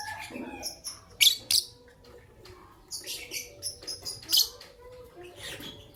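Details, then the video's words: Morning chirping from a green personata lovebird and an albino lovebird: bright, high, clipped chirps in quick clusters, with a couple of louder sharp notes, then a run of rapid shrill calls over a quiet background. "The melodious chirping sound of Green Lovebird Personata & Albino Lovebird"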